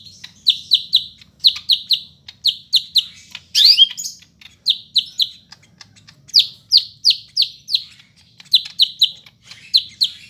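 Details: Densely packed song of a Greater green leafbird from Medan, taped in Bandung on Monday 5 September: long series of sharp falling whistles grouped in threes and fours, with a brief scratchy upsweep interrupting early on.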